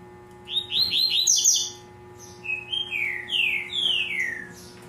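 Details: Captive double-collared seedeater singing in the tui tui zel zel song style: a run of short rising-falling whistled notes, then a pause, then a series of longer downslurred clear whistles.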